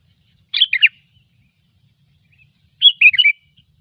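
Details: Sooty-headed bulbul, gecor song used as a lure for trapping: two clear, bubbly, warbled phrases, each about half a second long and two seconds apart, against near silence.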